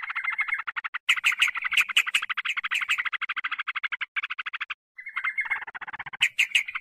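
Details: Sooty-headed bulbul lure recording for attracting wild birds: fast, stuttering chatter of clipped notes repeated in long rattling runs, broken by brief pauses and sharper high squeaks.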